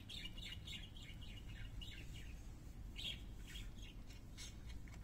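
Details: Several parakeets kept as pets sing in quick chattering bursts of buzzy chirps and brief squeaks, running almost without pause above a constant low rumble.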